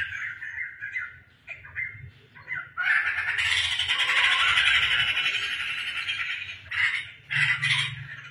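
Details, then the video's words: Scattered short squeaky phrases from a tame, vocal household laughingthrush build into a long, loud, rasping chatter lasting several seconds, then fade to separate bursts, with a low droning hum in the background. "burung poksai teman kopi penyejuk hati | poksai gacor bikin ramai rumah | poksai lulut dan gacor"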